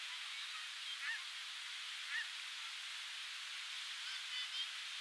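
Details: Nesting black oystercatcher on the Oregon coast, June 2018, while pairs exchange nesting duties: two sharp whistled notes a second apart, then a few faint higher notes, all against constant crashing surf.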